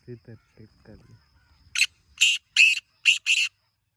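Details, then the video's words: Black francolin in a rural village area at morning time; after a man speaks briefly, five harsh, rasping bursts follow in a rapid grating sequence. "کالے تیتر کی مست آوازیں 🔊 | یہ آواز سن کر تیتر ضرور بولے گا | Original Black Teetar Sound"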